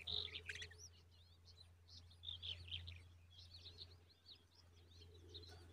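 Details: Common babbler (Argya caudata) chicks in the nest give a busy chorus of thin, high chirps and squeaky notes, overlapping in quick bursts, over a steady low hum.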